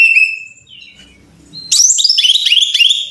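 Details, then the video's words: Brown-chested jungle flycatcher song, a training lure to make caged birds sing: a clear whistle fading away, a quiet pause with faint low rumble, then a loud burst of sharp, descending whistled notes repeated rapidly. "Pancingan Masteran Suara Burung (SIKATAN RIMBA DADA COKLAT)"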